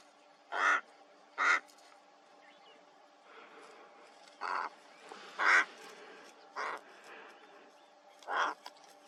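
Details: Ravens, two birds, in Kgalagadi Transfrontier Park on 11 October 2021, giving single hoarse croaks spaced a second or more apart, about six calls against a quiet background hum.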